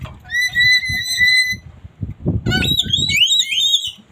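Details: Red-headed lory from Ternate: a long, steady, shrill whistled note, then wavering, nasal squawks rising and falling, with low voices murmuring in the background.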